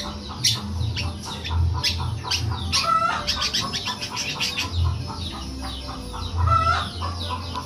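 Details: Long-tailed shrike in busy song imitating a cat: rapid high chirps and clicks that crowd together, mixed with repeated softer pulsed notes, set against a steady low droning hum.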